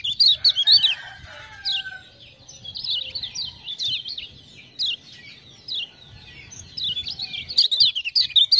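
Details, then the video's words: Lemon-bellied white-eye, known in Lombok as kecial kuning, singing vigorously after ciak-ciak sounds: a continuous stream of sharp high chirps and twisting notes, loud at the start and close. "Kecial Kuning joss gacor"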